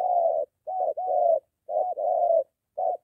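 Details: Low, throaty spotted dove coos from a moulting decoy bird trained near home against a wild dove, short clipped notes each followed by a longer droning coo, loud and close.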